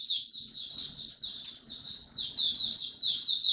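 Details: Caged mata puteh white-eye in Singapore, 31 July 2023, finally singing again; a continuous, rapid flow of high, squeaky chirps running together with almost no break.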